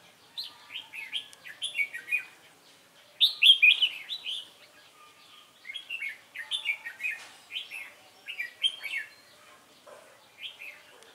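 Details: Captive wild-caught red-whiskered bulbul delivering its competition fighting song: quick bursts of bright warbling whistles, each phrase of three to five rising-falling notes, repeated in several runs with short pauses between them.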